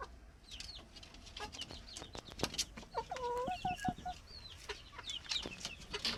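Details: Plump chickens giving a short run of low, rounded clucks in quick succession mid-way, over steady high, thin peeping chirps, with scattered sharp clicks and taps.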